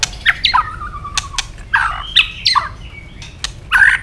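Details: {'text': 'Intense fighting song of a white-rumped shama with constant tail flicking; harsh buzzy phrases and a drawn-out falling whistle, interspersed with snapping clicks.'}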